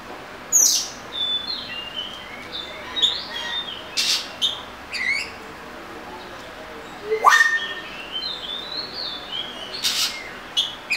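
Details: Scattered whistled notes and short sharp chips from an Oriental magpie-robin over a steady background hiss, with one quick downward-sliding note near the middle and loose pauses between phrases.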